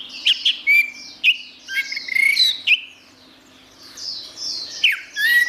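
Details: Orange-headed thrush pouring out quick, varied song phrases of sliding whistles and chirps, pausing briefly mid-way before resuming with more sweeping notes.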